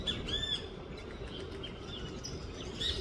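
A Great kiskadee gives a loud, strident, nasal call with a brief ringing note, then softer fragments and a last sharp note, over a steady low rumble.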